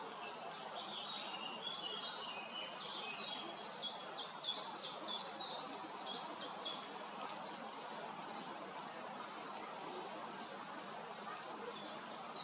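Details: Young Great spotted woodpecker (Dendrocopos major) being fed by a female on a pear tree trunk in Hrodna city, western Belarus, 7 June 2025; a fast series of short, sharp high notes, about three per second, over steady background hiss.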